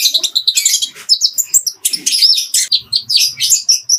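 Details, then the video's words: Kolibri ninja giving its clear master song of fighting house sparrow phrases, intended for training birds: quick high chips and buzzy twitters pour out densely, broken by brief thin whistled slides. "MASTERAN JERNIH KOLIBRI NINJA ISIAN GEREJA TARUNG"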